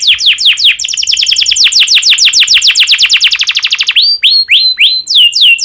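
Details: Canary in breeding condition singing a lure song for other canaries: a rapid, loud trill of sharply down-slurred whistles that speeds up, then breaks into slower, ringing, separated notes.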